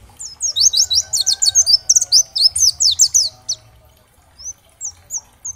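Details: Oriental white-eye of the dakbal type, used as a training song to spur other white-eyes to answer and sing: fast bursts of thin, high, downslurred chirps in quick runs, a short pause, then scattered higher notes.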